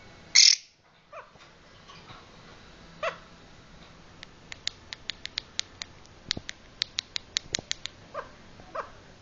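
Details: Lovebird making funny noises indoors: one loud harsh squawk at the start, a few softer chirps, then a quick series of sharp high ticking clicks roughly every third of a second.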